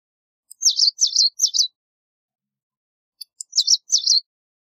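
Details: White wagtail giving high, thin, chirpy two-part notes in quick bursts of three, a pause, then two more. Each note is sharp and twittering against a silent background.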